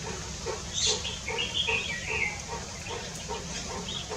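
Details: Red-whiskered bulbul recorded on 3 March 2024, giving a bright, quick warbled phrase of liquid whistled notes lasting over a second. A low pulsing thump repeats about every half second throughout, over steady background hiss.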